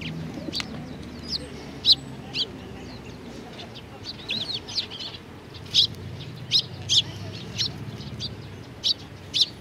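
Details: Flock of Eurasian tree sparrows gathered at food at a Tenmangu shrine, 19 April 2019; scattered sharp chirps and a few slurred twitters spread irregularly through the recording, with faint low rumble beneath.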